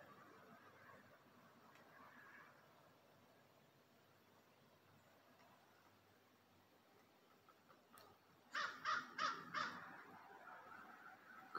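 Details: Crow calling in woods, with woodpeckers heard nearby: a burst of about four harsh, rapid caws near the end after a long quiet stretch of faint background.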